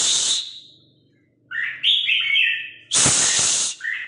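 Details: Red-whiskered Bulbul kept as a hunting decoy, singing in the 'ché' style: short warbled, slurred phrases follow a burst of loud broadband hissing noise, which returns after them.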